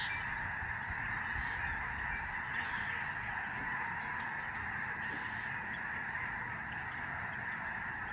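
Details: Lesser Snow Geese in a very large flock overhead during November 2011 at the George C. Reifel Migratory Bird Sanctuary, Canada. A constant, dense chorus of honks persists without a break for eight seconds.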